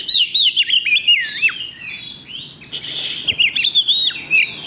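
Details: Caged Oriental magpie-robin singing at an Indonesian songbird contest on Thursday, 8 October 2020: rapid varied whistled phrases with sweeping slurred notes and short trills, broken by a brief pause, with faint background noise.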